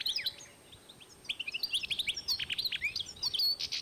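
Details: European goldfinch crossed with canary, 2012, delivering a busy warble of high, quick chirps and sweeping notes after a short quiet start.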